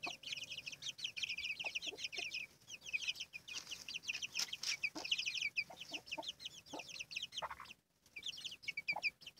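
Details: Chicks keep up busy, high-pitched peeping near their hen, quick descending cheeps tumbling over one another, with faint low clucks, brief knocks and a short silent gap.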